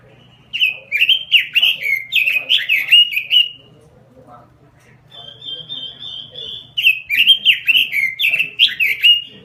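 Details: Robin lure and master song in full voice: two bursts of rapid, bright warbled whistling separated by a pause with a long level whistle, each burst lasting about three seconds.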